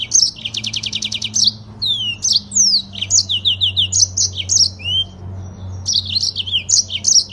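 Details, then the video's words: Yellow-fronted (Mozambique) canary sings a fast, high, long-rolling song with tight speed: a rapid buzzy trill, then sweet slurred whistles and chirps in quick continuous phrases. It is used as a master training audio. "BURUNG MOZAMBIK FULL NGEROL PANJANG DAN SPEED RAPAT"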